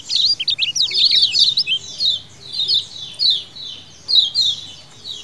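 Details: A colony of lemon-bellied white-eyes (kecial kuning), recorded as a lure sound: a dense burst of thin, jumbled chirps at the start, then separate sharp, down-slurred chirp groups about every half second.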